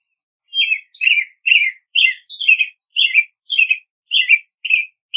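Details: American robin pouring out quick whistled phrases, ten or so in five seconds, each a brief rising-then-falling warble, evenly spaced with no background noise.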